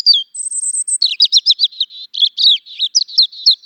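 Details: Song of a European robin, beginning with a high reeling trill, then a fast tumbling sequence of liquid, sharply modulated notes and short twitters, clean and close.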